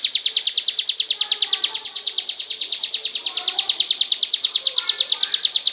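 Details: Unbroken ngebren drill from a ciblek gunung prinia: high, sharp notes repeated about three times a second for the whole stretch, very even, with faint lower sounds behind.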